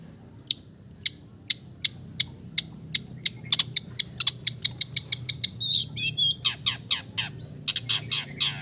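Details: Long-tailed shrike from East Java in relaxed song full of imitated fills: sparse high ticks accelerating into a rapid series, then a brief warble and a run of louder, harsher high notes.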